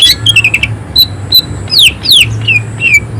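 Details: Greater green leafbird giving clear downslurred whistles, two long sweeping ones in the middle, mixed with short chirps and buzzy notes, loud and close.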